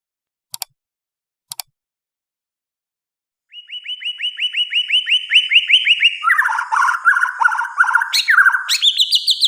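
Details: White-rumped shama singing at night: after two sharp clicks and a pause, a fast run of repeated rising whistled notes builds, then breaks into a loud, varied, slurred phrase with high sweeping whistles.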